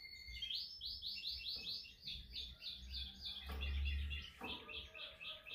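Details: Canary practising its training song: about ten looping, swooping whistled notes in quick succession, then varied faster phrases and a pulsed trill, with faint low rumbling and a few knocks in the background.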